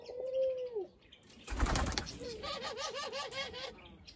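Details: Barbary dove, a captive bird, opens with one long smooth coo that drops at the end. After a burst of rustling comes a rapid rippling laughing series of wavy notes, with faint chirping behind.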